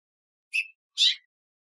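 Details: A female house finch perched on a weather vane in a backyard gives two quick, high chirps about half a second apart, the second louder and slightly buzzy; nothing else is heard.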